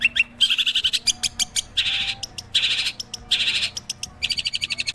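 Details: Long-tailed shrike song alternating sharp high ticks with repeated harsh buzzy rasping bursts, in rapid uneven rhythm.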